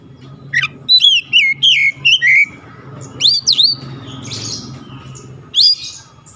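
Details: Kacer song, sharp and clear, aimed at stimulating lazy oriental magpie-robins to sing; a short series of looping whistled notes, then scattered high upward-swept calls over a steady low hum.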